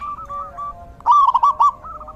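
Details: Zebra dove in the rainy season: soft wavering notes lead into one loud stuttering, bubbling trill near the middle, then quieter clipped notes resume.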